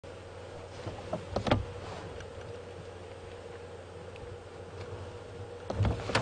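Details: Idling vehicle hum with scattered knocks and clunks, and a couple of louder thumps near the start and end. No animal sounds.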